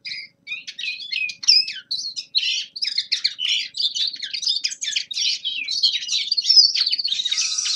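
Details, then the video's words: Practice song from a young male common linnet in winter. It opens with separate chirps and short whistles, then speeds into a dense, run-together twittering and ends on a raspy buzz. "Распевка Реполовов песня Carduelis cannabina birdsong"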